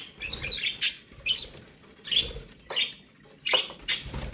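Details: Budgies, kept as pets, chirp as they eat corn; quick high chirps in short clusters about every half second, with light scratching between calls.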